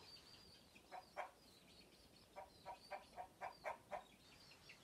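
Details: Frightened hens sounding the alarm at an intruder, warning the flock: faint, evenly spaced clucks in two bursts, the second a rapid run of about seven notes over a hissing background.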